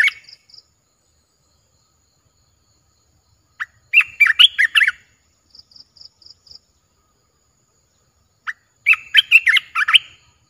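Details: Streak-eared bulbul kept in a cage, newly added to a Thai collection, 29 June 2021: two separate bursts of quick, bubbly, gurgling notes about five seconds apart, with soft high short pips in the gap between them.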